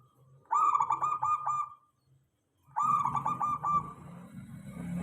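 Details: Local zebra dove song played as a lure to draw replies from other doves: two short, bubbly, stuttering coo phrases about two seconds apart, the second over a low rumbling background.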